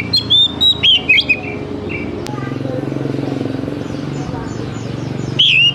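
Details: Oriental magpie-robin singing as a lure for young forest-caught fledglings: fast bright whistles and slurred notes open the recording, followed by a stretch of low murmuring noise, then one more sharp whistled phrase.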